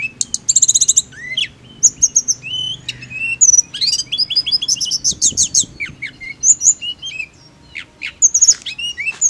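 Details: Training sound for a blood-breasted flowerpecker that only chirps: a dense, varied stream of very high sibilant trills, sharp ticks and short swooping whistles runs continuously with barely a break.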